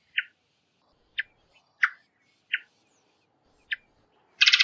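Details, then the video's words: Varied thrush call: short, sharp chip notes, five spaced irregularly about a second apart, ending in a harsh, rasping burst. "Varied Thrush Call"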